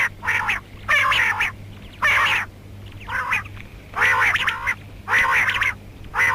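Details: Female rain quail calling, a mix labelled karkari: harsh, nasal, quacking bursts of about half a second, some doubled, repeated roughly once a second over a steady low electrical hum.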